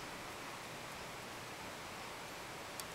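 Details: Quiet, even hiss of room noise with a faint rustle and one soft tick near the end, with no animal calls.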